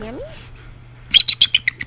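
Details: A 35-year-old male bald eagle with an amputated right wing, a captive at Quogue Wildlife Refuge, Long Island, New York, calls from his enclosure as his caretaker approaches. A faint rising whistle precedes six sharp, high piping notes in a quick series that slows and drops slightly.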